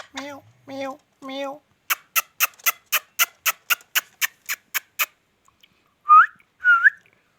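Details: Indian ringneck parakeet talking: three harmonic, voice-like syllables, then a rapid even series of about a dozen sharp clicks, ending in two short rising whistled notes in a quiet room.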